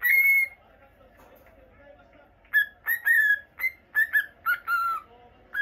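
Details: Caged pet cockatiel, normal lutino, gives one long whistle, falls silent for two seconds, then produces a quick string of short slurred whistles.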